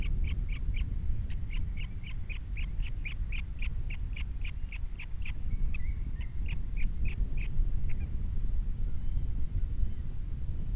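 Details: Osprey at a Captiva nest holding three chicks, recorded by a nest camera on 21 February 2022: quick, evenly spaced high chirps in a steady run that thins out toward the end, with constant deep wind roar.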